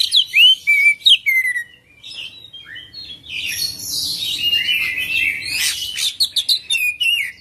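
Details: Oriental magpie-robin in full song, rolling and varied: clear swooping whistles and quick upslurred notes, then a dense stretch of scratchy, buzzy chatter and rapid chirps.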